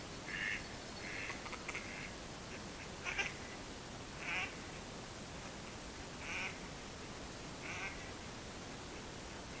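A mallard gives about seven short, nasal quacks, spaced unevenly one to two seconds apart, over a steady background hiss.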